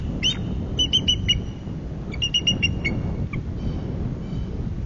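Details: Wild bald eagles at a Bluff City nest on 26 January 2024 calling in alarm at an intruder in their territory: quick runs of shrill piping notes, one descending note near the end, over a steady low rumble of wind.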